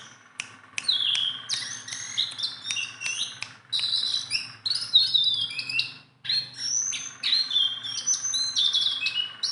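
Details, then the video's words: Lively chattering song of a tame Sunda bulbul: dense clusters of high whistles and sharp clicks, a short silence near the middle, then further rapid whistled phrases. "BURUNG JONGKANGAN GACOR TELER"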